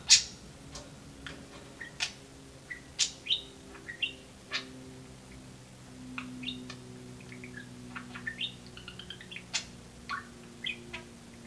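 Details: Indoor pet budgerigar, a talking bird sharing its cage space with another budgie, chatters in steady clicky chirps and brief warbles, while a faint continuous hum runs underneath.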